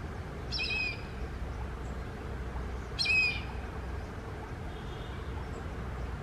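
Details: Indian grey hornbill uttering two short, harsh, squealing notes about two and a half seconds apart, with a faint softer note later, against steady low background hum.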